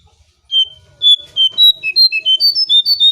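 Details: Brown shrike call used to lure birds: a quick series of about eleven clean whistled notes, each brief and level, stepping up and down in pitch at a steady rapid pace, with faint low background hum.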